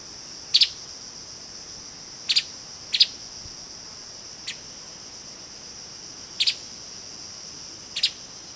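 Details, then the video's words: Streaked spiderhunter uttering sharp, high paired chips, six or seven separate calls at uneven intervals across several seconds, under a steady whining insect drone. "Tiếng chim Hút mật Bắp chuối đốm đen ✅Streaked Spiderhunter (Arachnothera magna) ✅นกปลีกล้วยลาย"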